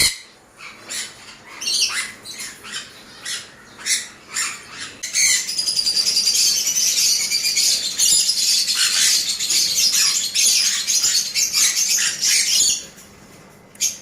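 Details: A breeding adult pair of yellow Sun Conures gives loud, harsh, screeching squawks that build into a continuous grating chorus.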